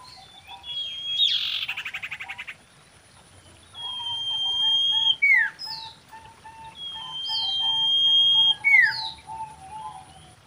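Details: Common iora, a wild female in mating season used to lure birds: a brief buzzy burst, then twice a long steady high whistle ending in a sharp falling note, over a soft repeated lower twitter.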